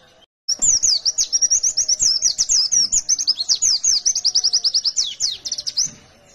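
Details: Ngalas fighter white-eye in full, nonstop song used to coax others into singing: after a short silence, a dense six-second torrent of piercing high twitters and trills, repeated chirps rising and falling quickly.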